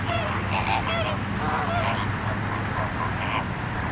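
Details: Flamingos at Larnaca Salt Lake on Christmas Eve, a flock giving honking, goose-like nasal calls in short overlapping bursts, several birds calling at once, over steady low wind rumble.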